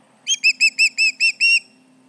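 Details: Short burst of osprey alarm calls at the Charlo nest, 29 July 2019, intruders close by: seven quick, high, clear whistled yelps, the last one slightly longer, then silence.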